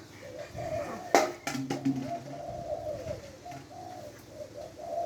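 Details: Caged spotted dove from Lopburi, Thailand, a medium-voiced decoy bird with a one-kuk song, uttering soft low coos interrupted by a sharp knock and clattering noises early on.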